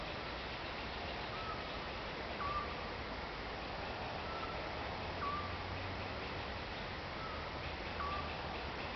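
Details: A Eurasian scops owl in Croatia gives a soft, short whistled 'tyoo' about every three seconds, three times, over a steady hiss of background noise.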